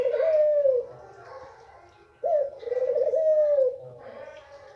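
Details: A white hen Barbary dove uttering her male-arousing call: two long burred coos, each opening with a sharp upward flick and then slowly sliding down, separated by a quiet gap.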